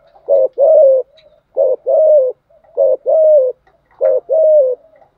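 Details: Spotted dove cooing, used to stir up wild doves and train decoy birds; four paired phrases, each a short low coo followed by a longer falling coo, repeated about once a second against a quiet background.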